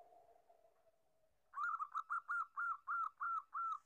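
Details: Local zebra dove (perkutut lokal), kept to prompt other doves into singing: a soft, low humming coo for a second and a half, then eight loud, evenly spaced staccato coo notes in a quick rolling series.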